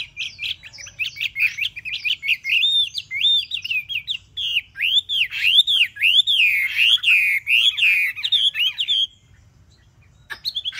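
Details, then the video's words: A Chinese hwamei kept caged for three months sings a long, loud sequence of looping whistled notes rising and falling, steady at nearly two per second, before stopping abruptly. "chim họa mi mcb2045 - 3 tháng lồng"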